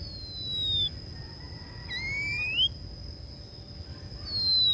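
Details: A female Oriental magpie-robin, used as a decoy, calls to draw in wild birds with three drawn-out whistles: a falling note, a rising slurred one, then another falling note, over a faint steady high tone.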